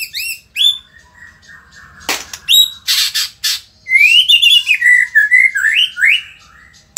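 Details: Indonesian white-rumped shama mixing high chirps and a long steady whistle with harsh rasping bursts, then a rippling warbled phrase that climbs and dips in a string of quick notes.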